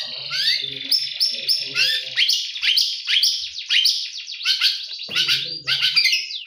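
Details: Morning song of a white-rumped shama, loud and richly varied, with fast sweeping whistles, rising and falling slurs and bright chattering phrases that tumble together with barely a pause.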